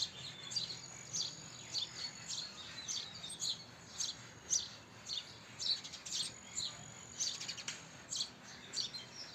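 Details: House sparrow chirping: short, bright chirps repeated unevenly, almost two per second, with steady faint background hiss.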